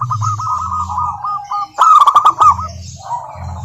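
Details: Lure song of a local wild-type zebra dove to make other doves sing: a rapid series of short coo notes, then a louder bubbling phrase over crackling noise and low hum.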